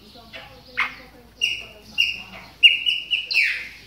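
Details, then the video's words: Chopi blackbird during moult, warming up with soft rising whistles that build into a longer, bright level note and a final swooping call. "CHAMADOS DE PÁSSARO PRETOS AQUECENDO NA MUDA !"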